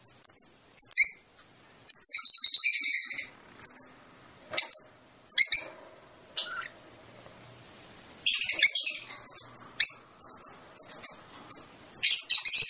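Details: Fischer's lovebird singing to encourage mating, alternating shrill squeaky chatters and single piercing chirps with irregular pauses, including a quiet stretch midway before lively twittering resumes.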